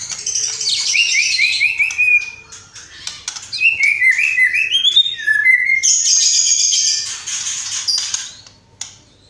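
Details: Murai batu (white-rumped shama) singing a lavish isian full of tembakan: a falling series of quick trilled notes, then bouncing whistled phrases, and finally a sustained high dense buzzy burst.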